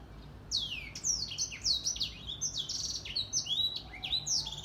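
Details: A grey singing finch sings actively in the morning: a fast, continuous run of high, sweet warbled notes and trills, with sliding whistles mixed in.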